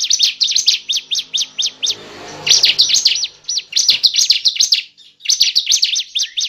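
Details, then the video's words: Bar-winged prinia (ciblek) calls for luring birds into traps: long runs of fast, piercing, up-and-down notes, several a second, interrupted by a short hissy pause, then resuming. "pancingan pikat burung cible"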